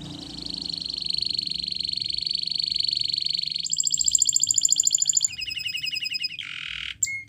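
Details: Spanish Timbrado canary singing a training song: a long steady high rattling trill, then a higher faster roll, then shorter metallic rolls and a harsh buzzy note near the end.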